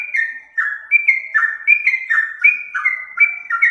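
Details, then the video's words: Yellow-vented bulbul song used as a lure: clear whistled phrases, each a high note dropping to a lower slurred one, repeated steadily over a few seconds in a quiet setting. "Suara pancingan trucukan"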